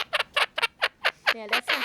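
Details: Pet Quaker parrot, a male, mimicking speech and laughing after biting its owner; quick series of about eight harsh, buzzy syllables in rapid rhythm, roughly four per second, with a short low tonal sweep near the end.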